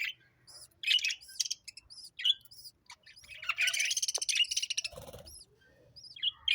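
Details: Several sparrows chirp in sharp, repeated notes that build into a busy overlapping chatter in the middle, then thin back out to scattered single chirps, with one soft low thump.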